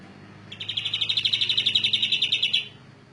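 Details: Canary performing a rolling song: a rapid, even trill of bright high notes repeated about four times per second, lasting roughly two seconds, over a faint low hum.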